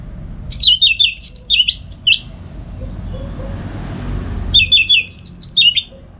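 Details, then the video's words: Morning 'ngeplong gacor' singing from a home-kept orange-headed thrush in Singaraja, North Bali, meant as a lure for other birds: two bursts of rapid, sharp chattering notes separated by a quiet gap, with soft background rumble. "ANIS MERAH Ngeplong Gacor"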